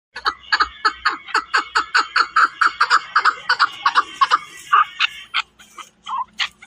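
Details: Chukar partridge, Pakistan, calling with a quick run of evenly spaced clucking chuck notes, roughly three per second, that loosen into scattered single notes near the end.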